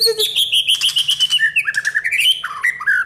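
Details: White-rumped shama, a bird trained to have a champion's mental strength, delivering rich song: sweet sustained whistles that step downward through quick pulsing notes, then climb again in bright warbled phrases, loud and continuous.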